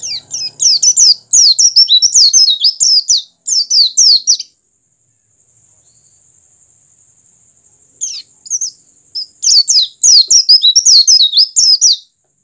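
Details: Oriental white-eye song, meant to stimulate other white-eyes to sing: two dense bursts of rapid high chirping twitter, each several seconds long, separated by a silent gap with only a faint steady high tone.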